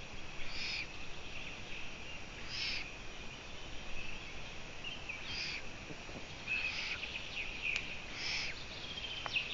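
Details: Long-eared owl on a live stream, 14 June 2017 at 04:49 before dawn; raspy hissing bursts repeat roughly every one to two seconds, with a few faint chirps and a constant shrill background hum.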